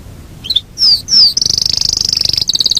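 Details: Yorkshire canary singing, with a few soft notes and two sharp falling whistles before a high, rapid, even rolling trill lasting over a second.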